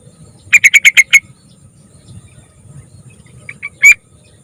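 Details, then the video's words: A young yellow-vented bulbul in full song, meant to coax other bulbuls into singing: a fast rattling series of six loud chirps, then two faint notes and one strong harsh note, against a quiet low hum. "Pancingan Spesialis Burung TRUCUKAN Muda Gacor Variasi"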